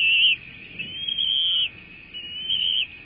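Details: Bald eagles at a Florida nest during feeding on 3 May 2024: loud, pure whistled calls, a sharp note then two long, slightly wavering drawn-out whistles, over low rumbling background noise.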